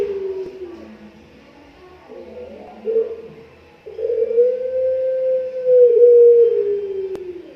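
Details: Two five-month-old Barbary doves (puter pelung) singing, recorded earlier for judging their song: a low, hollow opening phrase, then a long, drawn-out level coo held for several seconds before trailing off. Faint room noise behind.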